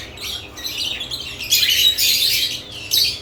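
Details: Lovebirds kept in a cage with newly added nest boxes give harsh, high squawking chirps in short bursts, loudest from one and a half seconds on, with a final burst near three seconds.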